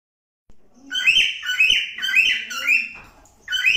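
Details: Cockatiel singing, a run of loud whistled phrases with rising and bending notes, each lasting about half a second, starting after a short silence and resuming at the end.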